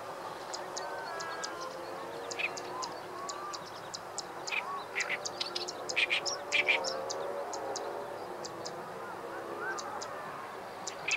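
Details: A great reed warbler (Acrocephalus arundinaceus), recorded 28 April 2013, sings harsh, chattering phrases, with grating bursts loudest midway, over a low background murmur and scattered high ticking notes.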